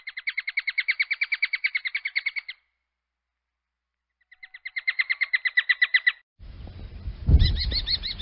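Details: Common kestrel calling in two long, rapid runs of piercing kee-kee-kee notes, each run lasting about two seconds. A loud low rumbling noise then takes over, with a few arched shrill notes still audible above it.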